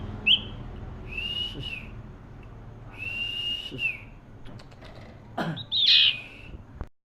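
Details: Common iora in cetrekan song, giving long, flat, drawn-out whistles spaced about two seconds apart. A loud, harsh, bright note near the end is followed by abrupt silence.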